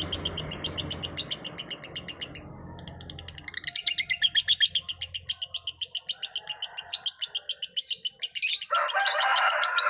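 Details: Lovebird singing a 'konslet' master song, an unbroken run of rapid, high, scratchy chirps that pauses briefly, then resumes evenly. A short burst of broadband hiss or rustle comes near the end.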